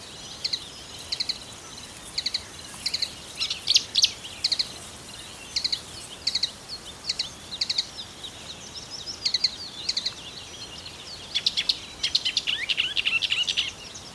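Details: A long, somewhat distant stretch of marsh warbler song in Russia, full of fast high ticks, chips and short trills in shifting patterns, with steady low environmental hiss throughout.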